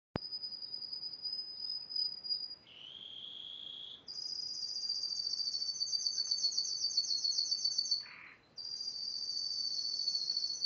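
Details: Yellow Spanish timbrado canary singing in 2011: long sustained trilled phrases high in pitch, switching between a thin steady tone, a lower rolling trill and a loud rapid pulsed trill, with a brief low note near the end.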